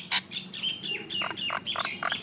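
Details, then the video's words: Common myna making noise: a loud harsh burst opens, then a run of slurred whistles and short gurgling, chattering notes, some dropping in pitch, delivered in quick succession. "Mynah Bird Acridotheres tristis, Little Mynah Bird making Noise"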